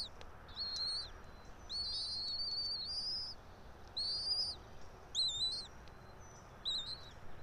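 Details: Bald eagle at a nest atop a pine tree about 90 feet up in Johnson City, Tennessee, early morning, 3 April 2024; high, thin squeaky chirps with stepped, wavering pitch come in uneven bursts over steady low background hum.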